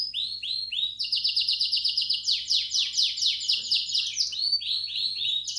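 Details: High canary song from a Belgian canary aviary in the 'campainha' style, meant to stimulate chicks to sing: arched chirps give way to a long fast trill of slanted notes that ends in looping phrases. A faint electrical hum lies underneath.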